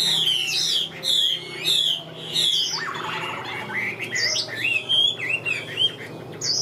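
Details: High, bright song from a caged Chinese hwamei with busy wing and tail movements: repeated loud descending whistled phrases, a brief lower rattling passage in the middle, then twisting high notes.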